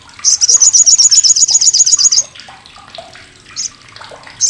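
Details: Loud, coarse chatter of an olive-backed sunbird (sriganti) used to train competition songbirds: a steady rapid train of roughly fifteen high sharp notes over two seconds, followed by soft lower twitters and single high chips.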